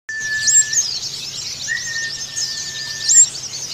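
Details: Indonesian white-eye song of the Bali dakun (dakbal) type, used as therapy and a lure for other white-eyes: dense, high, scratchy twittering runs on continuously, with a steady pure whistled tone held underneath and a faint low hum.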